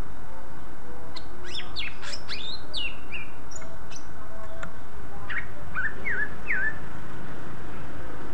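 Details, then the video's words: Greater green leafbird singing to prompt other leafbirds to answer: sharp high chips and downslurred whistles early on, then a few separate looping whistled notes near the end, over constant low background noise. "Burung cucak ijo ini suaranya ampuh untuk memancing cucak ijo lain agar ikut bunyi"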